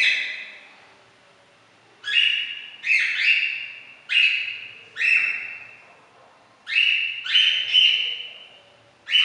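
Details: A female cockatiel gives loud, shrill, slightly rising screeches in short bursts, seeking attention while her owners deliberately ignore her.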